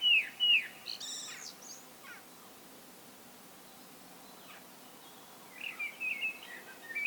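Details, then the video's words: A common blackbird sings solo: a loud fluted phrase with a squeaky high flourish, then a long quiet pause before another warbling whistled phrase begins; light background hiss. "Musträstas. [ No Copyright Bird Song ] ( Turdus merula )"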